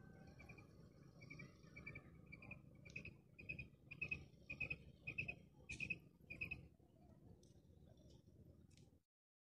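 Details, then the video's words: Female common quail (madi batair) calling: short, bright clicking notes in tight double or triple bursts, repeated steadily about every half second, over a low rumbling background hum. "Female quail sound | madi batair awaz"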